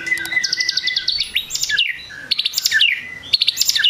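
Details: White-rumped shama singing to provoke rivals: high, rapid stuttering notes and sharp chirps, in bright phrases about a second long, separated by brief pauses.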